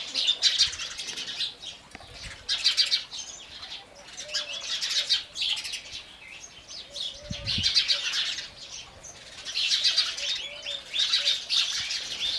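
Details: House sparrow chatter that comes in loud waves about every two seconds, each a tangle of rapid high chirps, with quieter chirping between the waves.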